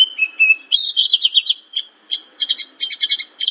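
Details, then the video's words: Javan bush lark song used to set other larks singing: a held whistled note, then a run of quick warbling notes and a burst of rapid chirps in clusters. No other sounds. "Suara burung branjangan/branjangan langsung bunyi denger suara ini"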